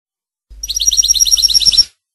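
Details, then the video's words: Rasta Torka song of a Tunisian goldfinch: a rapid, evenly paced trill of roughly a dozen bright, metallic repeated notes lasting over a second, with a low hum underneath. "Chant Rasta Chardo Torka de tunis sans faute"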